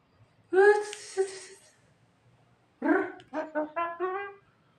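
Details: Tame Asian pied starling mimicking human sounds such as a person's cough: two bursts of rich, voice-like harmonic phrases, first a drawn-out nasal note, then after a pause four quick stepped syllables in a row, in a quiet room.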